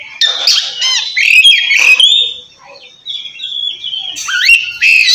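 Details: Oriental magpie-robin calling a rival: bursts of scratchy notes, a long flat whistle, then a sharp upward-swept note and harsh phrases.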